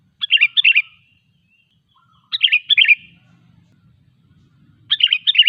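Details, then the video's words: Sooty-headed bulbul song used as a lure to make other bulbuls sing: three rollicking phrases of several liquid, whistled notes, roughly every two and a half seconds, in near silence. "Suara Burung KUTILANG GACOR 100% ampuh untuk memancing Kutilang lain agar bunyi"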